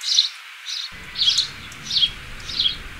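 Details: Sparrow chirping: five short, bright chirps spaced roughly every 0.6 seconds, each a brief high burst, over a faint steady background hiss.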